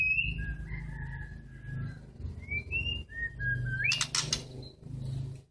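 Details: Captive white-rumped shama during pairing for mating, giving short clear whistled notes, some rising and some falling, spaced through the clip. A brief burst of noise that may be wing flapping follows, over a low indoor hum.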